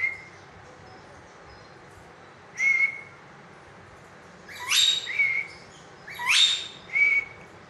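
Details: Green rose-ringed parakeet, kept as a pet, giving a lone short whistle followed by two pairs of sharply rising, sweeping whistles each trailed by a brief level note, over a quiet background.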